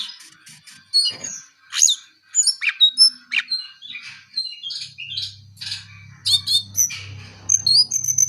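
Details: Continuous chattering song of a brown-eared bulbul, mixing thin high whistles, quick chirps and harsher squawky bursts, with a faint low hum in the background during the second half.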